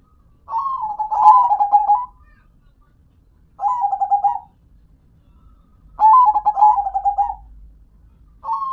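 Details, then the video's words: Perkutut, the zebra dove, singing: a long stuttering coo phrase with a fast drum-like run of soft notes, followed by a shorter phrase, another long one and the start of a fourth, separated by quiet gaps. "Dengar Dan Rasakan Manggungnya, Suara Serta iramanya BIKIN CANDU"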